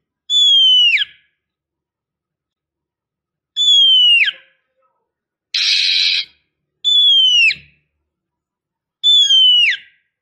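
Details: Oriental magpie-robin female, used as a lure to stimulate a male: a single clear whistle with a sharp downward hook at its end, repeated every two to three seconds, with one brief harsh rasping burst between repeats.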